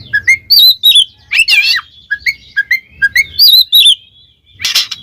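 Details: Oriental magpie-robin in ngeplong style, calling a rival: loud, clear whistled notes that rise and fall, broken by harsh buzzy bursts and quick slurred phrases in a varied, energetic song.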